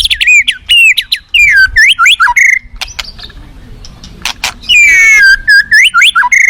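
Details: Wild forest white-rumped shama sings loud, clear whistled phrases, rising and falling slurs with sharp clicks between, a brief pause midway, then a fresh run of sweeping whistles, over a faint low rush of flowing river.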